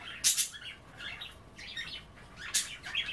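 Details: Budgerigars kept as pets chatter while nibbling kale at bath time indoors; sharp clicky chirps open and recur, linked by soft, buzzy warbling murmurs.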